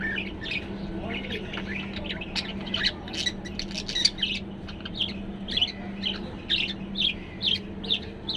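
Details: A contented, cheerful male budgerigar chatters in quick, scratchy chirps and warbles over a steady low hum; the owner says he makes these sounds when comfortable and happy.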